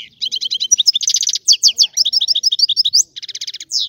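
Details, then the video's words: Sicilian goldfinch delivering a rare old-style song: fast, liquid twittering with dense buzzy trills and rising slurred notes, repeated in tight phrases for several seconds without a break. "Canto del Cardellino"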